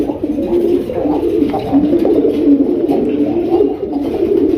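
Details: Several Raj Golla pigeons, kept as a breeding pair collection prized for calling, in Kashimpur, Gazipur, Dhaka, Bangladesh, coo together in a low, throaty, rolling murmur that never pauses.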